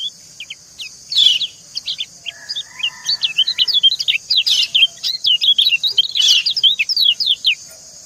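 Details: Female white-eye calling alluringly to a male as the pair answer each other: high, falling chirps quickening into a dense chattering run, with a few lower notes mixed in, beneath a steady shrill hiss.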